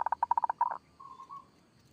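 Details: Local zebra dove singing in the kerot style: a rapid run of about ten clipped, throaty notes, then a softer drawn-out cooing trill fading away.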